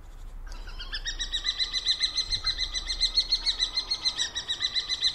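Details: A common kestrel gives a steady run of shrill, whining notes, about four each second, while a pair mates in midwinter on 28 January 2023.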